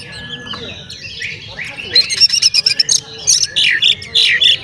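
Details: Oriental magpie-robin delivering a provoking song aimed at other magpie-robins: soft scratchy warbles at first, then from two seconds a loud series of rasping, slurred and chattering notes with thin high whistles.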